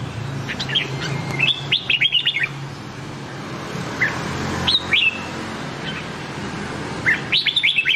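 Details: Red-whiskered bulbul song used to train other red-whiskered bulbuls' voices: short, bright, warbled phrases of rising and falling whistles, a new phrase every second or two, over a low background hum.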